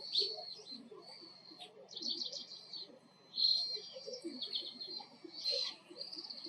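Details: Oriental greenfinch, song described as a buzzy 'biin': a run of buzzy, twittering high phrases with brief pauses, louder near the middle, over soft low background noise.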